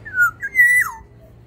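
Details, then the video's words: Black-naped oriole from Sumbawa in an aviary, giving a short fluty whistled phrase: a falling note, a brief pause, then a level whistle ending in a downward slur, in a quiet room. "Keodang emas sumbawa di dalam aviary gacor"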